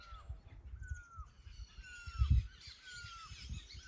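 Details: Bird giving a mating call in forest: a clear, slightly descending whistled note repeated about once a second, four times, with soft higher chirps from other birds and a low thump near the middle.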